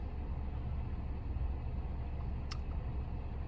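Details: Deep, continuous vehicle rumble with one sharp click partway through, and no animal sounds.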